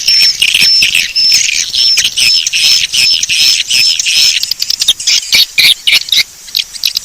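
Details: Swiftlets in a lure call for attracting them: short high whistled notes repeated in quick succession above a harsh, crowded twittering chorus that becomes choppier after a few seconds.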